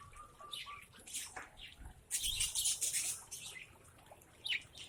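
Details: Mixed lovebirds kept together in one cage in Aceh Besar: short, high, scratchy chirps scattered throughout, with a dense burst of harsh broadband rustling and chattering in the middle, and a final sharp chirp near the end.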